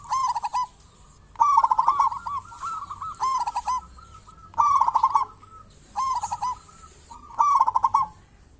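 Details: Local zebra dove in lively song, used as a lure to set off other zebra doves: six phrases of quick, stuttering coos, each under a second, repeated roughly every one and a half seconds, with soft wavering notes between them.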